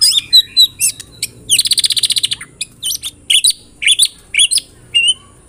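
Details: Murai batu lure song for provoking song: sharp high notes, then a fast, even trill of about a dozen buzzy pulses, followed by spaced, ringing, up-slurred whistles.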